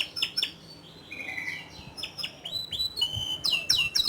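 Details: Canary giving softer, scattered chirps and short whistled slurs with a brief steady note, getting louder toward the end; faint background noise.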